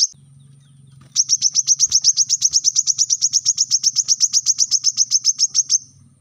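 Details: Brown-throated sunbird, played to train captive birds to sing: one long unbroken run of about forty rapid, high, metallic chips over a faint low hum.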